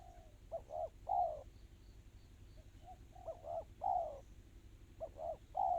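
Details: Spotted dove singing in the tight, fast 'kristal' style: three-part cooing phrases, two short hoarse notes then a longer falling coo, repeated three times over a low steady hum with faint high twitters behind.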